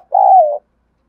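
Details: Spotted dove calling and cooing, a decoy bird answering all day. A single loud, steady coo of about half a second, dipping slightly in pitch at the end, then silence.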